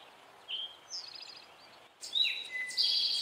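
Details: Male Eastern towhee singing its "drink your tea" song: a clear whistled note, a lower note, then a fast buzzy trill. A fainter version comes first, then a loud phrase ends the recording.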